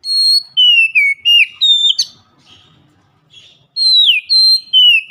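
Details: Oriental magpie-robin (kacer) in a loud daily 'ngeplong' lure song. Clean whistled phrases slide downward and end in a rasping flick. A short quiet gap with faint low rustling comes before the next phrase.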